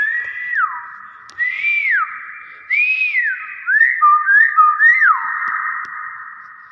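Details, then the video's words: A common hill myna gives its natural voice: loud, pure whistles, about six phrases in under seven seconds, some held steady, others swooping up and then dropping sharply. "BURUNG BEO SUARA ASLI"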